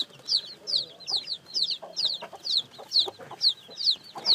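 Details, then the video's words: Freshly hatched chicks call with clear, high, downward-slurred peeps, often doubled, evenly spaced about two to three per second, with soft low rustles in the background. "Âm thanh gà con mới nở kêu, gà kêu, gà gáy"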